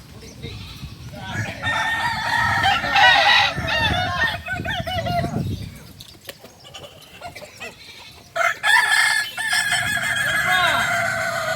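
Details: ['At a practice contest in Solok, West Sumatra, kukuak balenggek roosters give long, layered crows amid noisy crowd sounds, a lull, then another loud stepped crow.']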